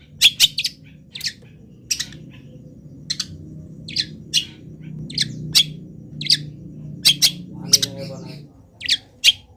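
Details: Long-tailed shrike, a local bird still singing vigorously while molting, gives scattered sharp high chirps and short buzzy mimicked notes at uneven intervals over a low background hum.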